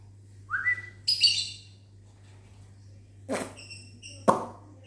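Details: Morning lovebirds in a mini aviary respond to whistling with a quick rising squeal and a short rasping burst, followed by clicks and a person's steady whistled notes, all over faint low hum.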